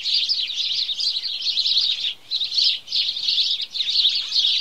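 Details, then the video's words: Morning chorus of house sparrows: a dense mass of bright, overlapping chirps from many birds, broken by three brief lulls at about two, three and three-and-a-half seconds. "Morning Chorus Of House Sparrow"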